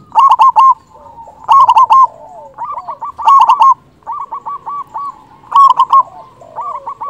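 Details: Zebra dove of local stock, a loud lure bird meant to provoke quiet doves into breeding mood. Loud clusters of four or five quick rolling coos repeat about every one and a half seconds, with softer cooing between.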